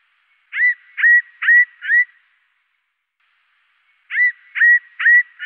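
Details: Great tit (Parus major) calls in the 2–8000 Hz range, slowed 2 to 16 times: a set of four whistled notes, each sliding up then holding level, repeated after a pause.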